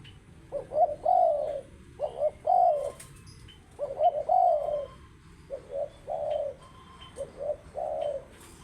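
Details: Spotted dove, or tekukur, cooing in repeated phrases: a couple of short low notes leading into a longer, mellow, slightly falling coo, about four phrases with faint background noise.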